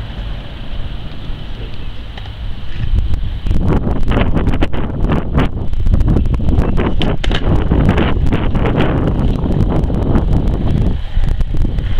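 Strong wind buffets the microphone with low rumbling and irregular thumps and rustles, and no animal call stands out.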